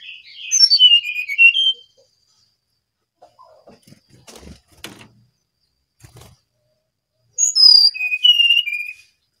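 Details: Brown-chested jungle flycatcher in lively song: two bright whistled phrases, each a cascade of slurred notes falling from high to mid pitch, separated by a pause with faint clicks and knocks.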